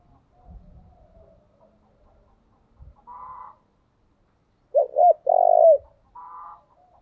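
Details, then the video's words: Decoy spotted dove calling: a quick pair of rounded coos running into one long, rough coo, with short buzzy bursts before and after and faint low thumps early on. "Chim cu gáy gọi // tiếng chim cu gáy mồi chuẩn cực hay vang một vùng"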